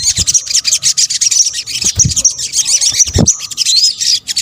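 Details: Lure recording of a sunbird, sogok ontong in Indonesia: a continuous jumble of very high twittering chirps with occasional low knocks.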